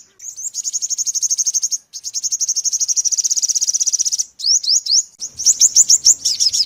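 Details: Five-coloured sunbird, used as a trapping lure, in a clean recording. Very high, rapid buzzy trills last about two seconds each, followed by sharp rising upslurred notes in quick bursts.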